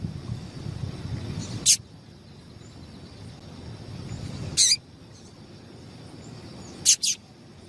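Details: Female papa-capim seedeater calling to excite the male: three brief, sharp high chirps separated by long gaps, the last one doubled, with low background noise.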